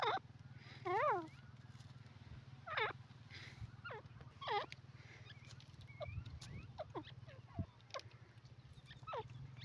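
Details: Female teetar (yellow partridge, francolin) calling: a series of sharp rising chevron-shaped notes, repeated irregularly, over a steady low hum with other faint chirps in the background.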